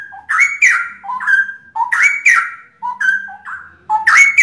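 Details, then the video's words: Three straw-headed bulbuls pour out loud, rich, bubbling whistled phrases that climb in steps, about one a second, their songs overlapping. "Kolaborasi 3 Cucak Rowo"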